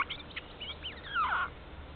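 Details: Jay near an Estonian black stork nest, morning of 30 March 2014, picked up by a nest camera: a string of slurred, squeaky whistles, ending in a louder falling note.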